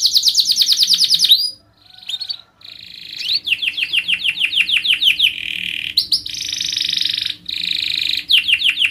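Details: Young canaries learn from this long, tightly rolled canary song: fast series of descending high chirps, a brief pause, then alternating buzzy rolls and quick repeated sweeping notes, continuous and emotional, with a faint low hum in the background.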